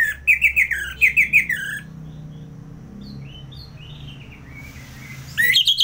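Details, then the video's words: Captive Orange-headed thrush from Singaraja, North Bali, sings loud, bright, slurred phrases of quick repeated notes, then softer high whistles, then another loud burst at the end; the song is offered as training audio for other songbirds. "ANIS MERAH Ngeplong"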